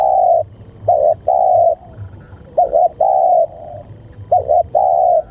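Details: Spotted dove cooing, used for luring doves: low soft phrases of a quick wavering double note followed by a long steady coo, repeated about every one and a half seconds.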